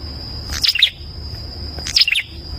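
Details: Ashy prinia, known locally as perenjak, gives two short bright phrases about 1.4 seconds apart, each a quick cluster of high sharp chirps, over a steady high whine and low background rumble.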